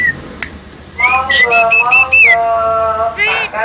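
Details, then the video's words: Pet common myna at home, said to cough, laugh and call to girls, producing loud whistled, speech-like notes with rich harmonics, held and slightly wavering, in two long phrases with a brief noisy burst between. "SEHEBAT INIKAH JALAK KEBO ANDA DI RUMAH||bisa batuk,tertawa dan manggil cewek"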